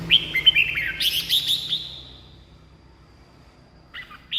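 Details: Red-whiskered bulbul song for rousing caged birds or calling in wild birds: quick liquid whistled notes run into a dense buzzy warble that fades, a pause, then a few sharp high chirps near the end.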